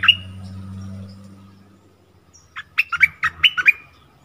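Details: Bulbul quarrelling with a wild rival, neither giving way: one sharp note first, then after a quiet gap a quick phrase of about six bright, rising-and-falling chirps.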